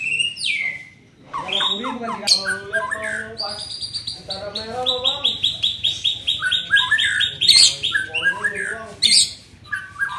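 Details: Young white-rumped shama in training: rapid high chirps and a long buzzy sustained trill, mixed with lower harsh rasping phrases and faint voices.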